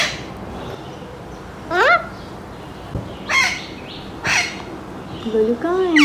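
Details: Morning calls of a seven-month-old male Alexandrine parakeet, a pet expressing happiness on waking. Harsh, rasping squawks sound about every second or so, followed by a quick run of bent, voice-like notes.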